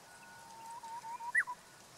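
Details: Japanese bush warbler delivering a song described as clumsy: a long, low, level whistle that breaks into short notes and ends with a sharp, higher note, over soft outdoor background hiss.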